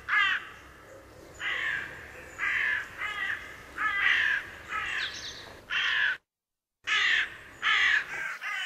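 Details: Hooded crows foraging in a meadow, one pecking into an acorn while another watches. Hoarse, grating caws repeat roughly every second, with a short silent gap near the end.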